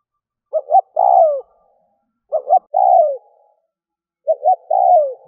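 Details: Spotted dove kept as a lure for wild doves, giving three phrases roughly every two seconds: two short, clipped hoots, then a sustained, buzzy coo falling in pitch.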